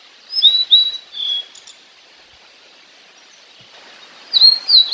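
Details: Fork-tailed sunbird, natural sound: a few high, slurred whistles, a quiet gap, then two sharper thin notes, with a soft background hiss.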